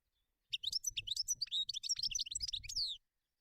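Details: European goldfinch singing in the wild: a continuous rapid, twittering jumble of liquid, tinkling high notes and trills lasting two and a half seconds, with faint low rumbling behind.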